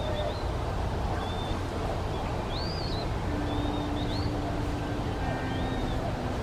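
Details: Eastern Wood-Pewee calling to a second pewee that answers. It gives slurred, high whistles, including a rising-falling 'pee-a-wee' phrase, over a steady low rumble of background noise.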